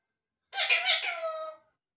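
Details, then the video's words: Talking parrot giving a single laugh-like burst of about one second, bright and rich in overtones, in a quiet indoor space. "Talking Parrots"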